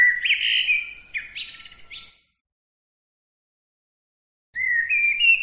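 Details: High twittering bird song with whistled slides and buzzy rattles, then a long silent gap, then a new phrase starting with rising whistled chirps.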